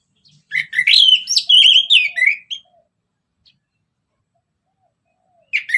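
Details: Orange-headed thrush in ngeplong song used as a lure: a two-second flowing phrase of warbled, whistled notes with quick slurs, followed by silence and a brief note at the end.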